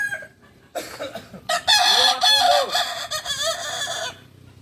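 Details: A Kukuak Balenggek rooster, the Solok, West Sumatra ornamental breed, crows at a training gathering. One loud, bright crow of rapid rising-and-falling syllables runs about two and a half seconds, then drops to quiet.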